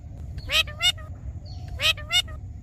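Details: Green talking parrot uttering two pairs of quick, voice-like harmonic squawks separated by a short pause, with a faint whistled note between them and a low background rumble.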